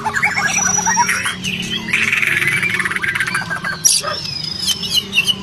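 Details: White-rumped shama song used to coax a stalled, stressed shama into responding: long high whistles, a rough buzzy burst, and scattered chirps over a steady low hum.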